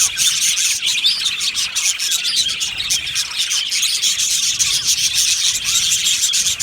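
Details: Budgie colony chattering in an aviary, a continuous dense twitter of high-pitched chirps and buzzy warbles from numerous birds.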